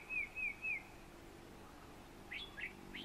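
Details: An Olive Bushshrike at Rondevlei, Wilderness, South Africa, in September 2015, gives three quick, slurred whistles in a fast run, then after a pause a few fainter, higher, buzzier notes; a Cape Bulbul also calls.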